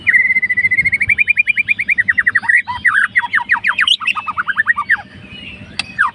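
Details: White-rumped shama, a fighter bird, singing to provoke a rival: a long fast train of loud repeated chirps, steady at first, then varied rising and falling notes, ending in sharp high calls.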